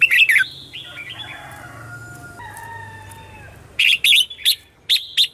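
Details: Red-whiskered bulbul morning song, played as a lure to call in wild birds. Loud, sharp chirping bursts open and close the stretch. Between them run steady, level whistled tones at lower pitch.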